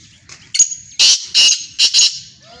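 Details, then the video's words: Black francolin call: a sequence of four or five loud, rasping, grating notes in quick succession, with slight faint chirping before and after. "Kale teetar ki awaaz"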